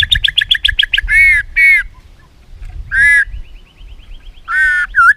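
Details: ['White-rumped shama song packed with filler phrases, used as a lure to get other shamas singing: rapid run of short double chips, then buzzy harsh bursts, a thin even trill and a final down-slurred note.']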